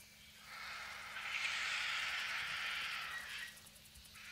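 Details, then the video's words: White-backed Vultures squabbling over a bull African elephant carcass beside a road in the African bush, with a Lappet-faced Vulture present: a harsh, hissing rasp swelling for about three seconds then fading, over a faint low hum. "Vultures squabble"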